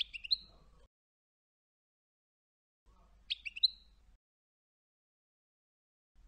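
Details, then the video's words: Tunisian European goldfinch singing in the Sfax style (tarqa) used for tutoring: two short, high buzzy phrases with a bright twittered note, separated by about two seconds of silence. "الحسون التونسي, طرقة حسون صفاقس للتصنيت بجودة ودقة عالية"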